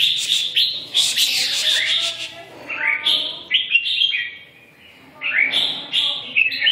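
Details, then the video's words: Red-whiskered bulbul singing a lively series of warbled, slurred phrases, rapid chirpy notes rising and dipping, a dense burst early, then spaced phrases with a short lull before another run of bright whistles. "Kênh về chim Chào mào"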